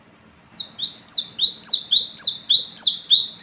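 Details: Wiceh, the olive-backed sunbird, singing at night to lure others: after half a second of quiet, a rapid string of high, buzzy down-slurred notes, speeding up to about four per second.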